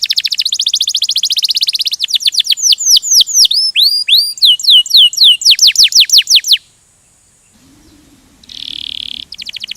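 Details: Canary singing in the rolling 'ngerol' style: a buzzy high trill, then fast repeated down-swept whistles and rapid rolls that stop abruptly, a short quiet gap, then a softer distant buzz and a brief second trill at the end.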